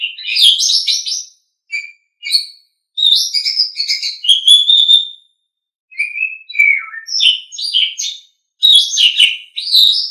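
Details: Song of an Asian pied starling, kept as a pet songbird, used to tutor other birds: phrases of scratchy chatter and clear whistles, including a falling whistled note, broken by short pauses.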